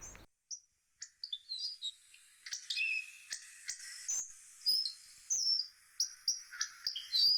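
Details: Hawfinch singing: a halting run of sharp high chirps and short thin whistles, some slurred downward, separated by brief pauses, with scattered clicks and no other clear sounds.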